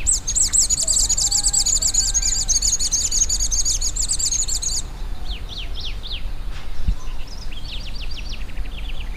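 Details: Scrub tanager singing: a very high, rapid, thin trill held for about five seconds, followed by a scattering of short downslurred sharp notes at a lower pitch, with a faint steady background hum.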